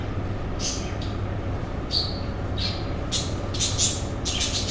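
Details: Budgerigars in a captive breeding colony; scattered high chirps and short squawks in separate bursts, set against a continuous low hum.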